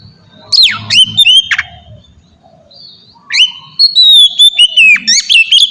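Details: Oriental magpie-robin, ngeplong style, used to get young birds singing. A few sharp falling whistles, nearly two seconds of near-silence, then a steady stretch of drawn-out whistles ending in fast chirps.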